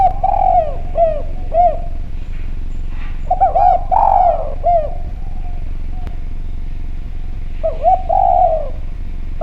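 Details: Spotted dove, locally derkuku or tekukur, used as a lure recording: repeated phrases of soft cooing notes, a few short hooked coos ending in a longer drawn-out falling coo, spaced every few seconds over steady low hum.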